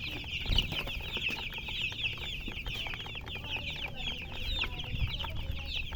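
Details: Chickens keep up a busy chorus of sharp, high chirps, each brief and slightly swooping, repeated many times a second. Occasional low knocks can be heard below.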